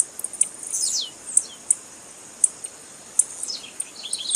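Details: Female blue-black grassquit calling to stimulate males, used by keepers preparing birds for tournaments. Thin, very high ticks sound every half second or so, with a few downward-sliding whistled slurs mixed in.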